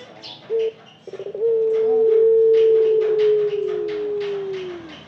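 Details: A ringneck dove's single coo sequence: a short introductory note, a burst of rapid rolled pulses, then a long, low, smooth coo sliding slowly downward and fading, with soft high chirping from other birds behind.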